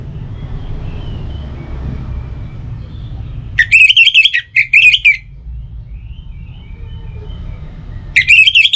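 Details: Orange-headed thrush phrases meant to lure other birds into song at dawn and dusk: after several seconds of low rumble, two short bursts of loud, rapid, warbled whistles, then a third burst at the end.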